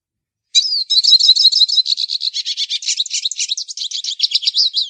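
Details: A long, lively hooded siskin song: a slurred opening note followed by more than four seconds of fast, varied twittering and buzzy chirps, sung without pause, nothing else audible.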